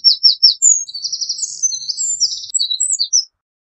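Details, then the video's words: Eurasian wren song opening with three sharp, separate high notes, then breaking into a rapid jumble of trills and ringing notes, loud and clear over a silent background. "Eurasian Wren Bird Song, Call, Chirp, voices, Sound - Chochín Común Canto - Troglodytes Troglodytes"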